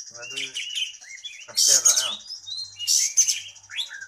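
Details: Kacer, an oriental magpie-robin described as singing prolifically and ready for competition, mixing short whistles and twitters with two loud, harsh, rasping bursts of chatter, against a constant thin high-pitched tone.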